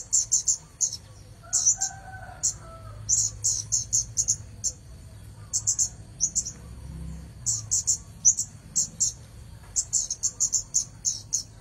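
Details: Red-headed bunting singing busily: short, bright, chattering high bursts repeated in clusters, roughly two per second, with brief pauses. A faint lower tonal sound appears near the start, and a steady high hum runs throughout.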